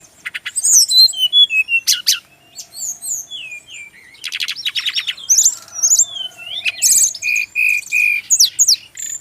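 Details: Brown-chested jungle flycatcher song, a kept male from the Bali region, used as tutor song. Rapid varied phrases of high whistles, trills and sharp chirps with short pauses, ending in a run of repeated mid-pitched notes.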